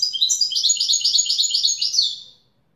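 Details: A European goldfinch delivers a Wedani-style song phrase: a rapid run of bright, tinkling, slightly buzzy notes lasting over two seconds, then fading out.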